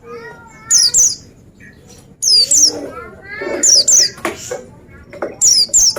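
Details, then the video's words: Oriental white-eye, described as singing vigorously, giving high, sharp, downward-sweeping chirps in quick pairs, repeated about every one and a half seconds, over lower warbled notes from other birds. "Dengar Suara Burung Pleci Ini"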